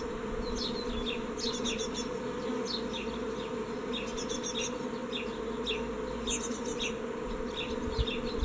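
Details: Young great tits fledging from a nest box on 14 May 2017, only one leaving; steady stream of short high downslurred chips with occasional buzzy clusters, over a persistent low humming background.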